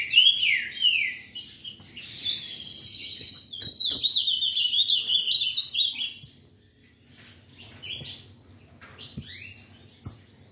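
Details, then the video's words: Ultramarine grosbeak from a breeder singing rich warbled whistles sliding between mid and high pitch in quick phrases, a pause after six seconds, then sparse notes; many high chirps and clicks from other birds fill the background. "Azulao Coringa"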